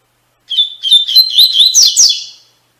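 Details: Tui Tui Fibra song of the double-collared seedeater, used to train captive birds. A two-second run of sweet whistles and quick slurred chirps that rises toward a sharper, higher ending, with no other sounds.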